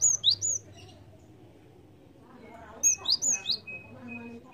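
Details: Java sparrow calls used as a lure sound for trapping birds: two quick bursts of sharp, high chirps, three notes each, separated by a quiet gap of about two and a half seconds, over a faint low hum.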